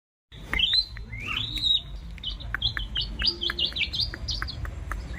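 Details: Long-tailed shrike singing: varied sharp whistled and chattering notes, rising slurs and quick trills, loud and close, over a low rumbling background hum.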